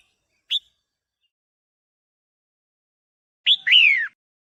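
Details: Female red-whiskered bulbul singing to stimulate a male: one sharp high chirp, a pause of about three seconds, then a bright two-part whistled phrase that slurs downward, on a silent background.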